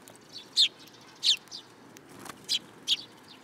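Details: Sparrows perching on a person's hand at a shrine in Japan, 8 July 2022, giving single harsh chirps about every half second, with soft background noise.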